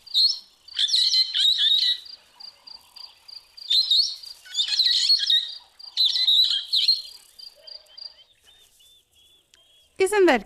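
Brown-headed parrots give bursts of shrill, squeaky whistles and chatters in clustered phrases, with a thin steady high tone running beneath and a sharp falling squeal at the end.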